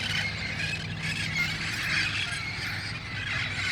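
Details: Wild red-faced parrots at El Cajon, collecting at dusk on August 1, 2018 before moving to nearby roosts; shrill screeching calls crowd together, rising and falling slightly in loudness, with low hum behind.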